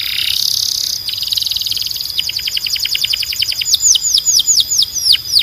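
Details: Canary tutor song for training young and male birds: begins with a dense buzzy high roll, shifts into fast clicking trills, then speeds into bright descending whistled sweeps repeated rhythmically.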